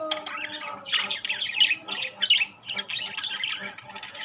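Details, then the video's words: Rainbow and classic budgerigars calling in a group, giving harsh, buzzy squawks and rapid chirps that overlap in irregular bursts, with one loud run of scratchy notes near the middle. "বাজরিগার পাখি"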